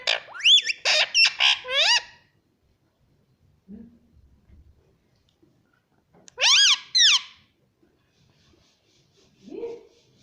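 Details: Pet green parrot talking indoors in a small room, mimicking "mummy papa": two bursts of rapid, squawky, rising-and-falling voiced syllables, with a pause between them and a soft low murmur near the end.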